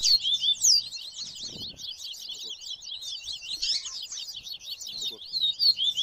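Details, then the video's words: Rusty-collared seedeater keeps up a fast, high twittering of sharp sweeping notes without pause, with a faint low hum underneath, in a lively mix with other seedeaters. "Canto Viviti Com Baderna de Coleiro e Papacapim"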